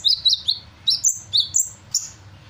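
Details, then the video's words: A sunbird in full voice copies the calls of other birds, delivering clipped high chirps in quick pairs followed by longer drawn whistled notes at an even higher pitch, roughly two per second, above a low background hum. "Burung Kolibri gacor, menirukan berbagai suara burung"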